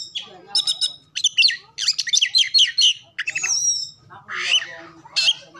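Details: Oriental magpie-robin song meant to stir other birds into singing, said to be full of copied calls. Dense bursts of stacked trills and twitters are broken by brief gaps, with one long descending whistle and scratchy ending notes.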